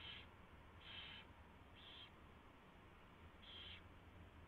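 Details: Owl at the nest on 24 February 2016, 4:21 AM, as a mouse is brought in and fed. Four breathy screechy bursts, about one per second, with a pause before the last, over steady background hiss.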